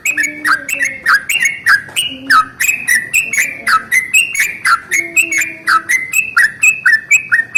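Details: Yellow-vented bulbul's long rolling morning song, played to make other bulbuls sing: rapid, liquid chattering notes sliding up and down, with faint low steady tones in the background.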